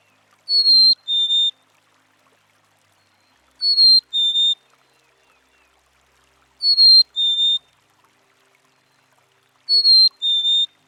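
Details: Black-capped Chickadee, a bird of northern USA and Canada forests and backyards whose voice aids communication and individual recognition: four pure two-note whistles, a higher note dropping to a lower one, repeated regularly about every three seconds against a quiet background.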